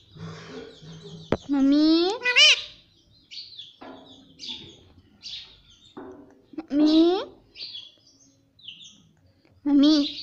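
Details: Parrot mimicking human words such as mummy and papa: three loud, wavering, voice-like phrases, each rising at the end, with quieter high twittering chirps between them and a sharp click at the start.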